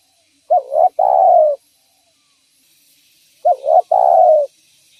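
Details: A spotted dove calls vigorously, its voice used to lure and catch others of its kind: two phrases three seconds apart, each a clipped double coo and then a long mellow coo sliding gently downward; faint background hiss.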